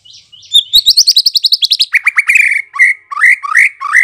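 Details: White-rumped shama song used to make birds reply: a fast rattle of high descending notes, then rich rising whistled phrases at a slower, steady pace.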